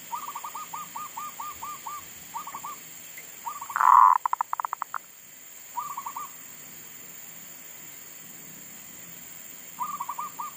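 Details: Zebra dove kept as a decoy bird, singing again in a garden after wild monkeys disturbed it and it had stopped calling; short bursts of rapid, evenly spaced staccato coos, with one loud, harsh burst and clicks midway through.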